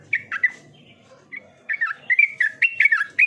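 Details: Yellow-vented bulbul singing lively, bubbly phrases of short liquid chirped notes, a quick opening burst, a brief pause, then a denser run of warbled notes in a clean, quiet setting.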